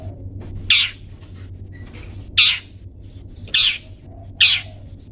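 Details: Long-tailed shrike calling, for pet-bird song training: four loud, harsh, rasping notes spaced about a second apart over a quiet low hum.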